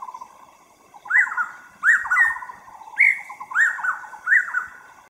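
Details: Taiwan scimitar-babbler delivering repeated ringing calls. Each phrase is an upslurred whistle followed by a fast descending stutter, given roughly once a second over a low, steady trilling in the background.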